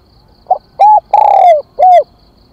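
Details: Spotted dove calling as a decoy to attract wild doves: a soft short note, a round coo, a long hollow coo drifting lower, and a final arched coo, all low-pitched and clear against a quiet background.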